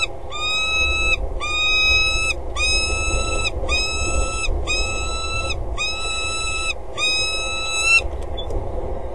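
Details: Calling before mating, a female peregrine falcon perched on the gutter rim of the Axel water tower, 25 February 2013, early morning. Seven long harmonic wails, each ending in a brief rise, come in a regular series, then stop abruptly.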